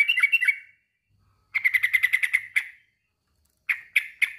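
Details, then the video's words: Male sooty-headed bulbul calling a rival: a short warbled phrase, then a fast, even burst of repeated chips, and finally three spaced, sharp call notes. "kicau suara trucukan jantan memanggil lawan"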